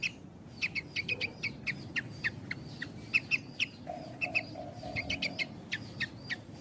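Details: Javan bush lark song in a tight-paused style, used to tutor untrained and half-trained birds: short sharp chips repeated quickly in uneven bursts over a steady low hum, with a brief lower buzzy phrase midway.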